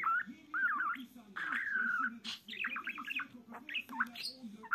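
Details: A budgerigar gives a calling sound, chattering in a fast, buzzy warble of rising and falling squeaks and chirps.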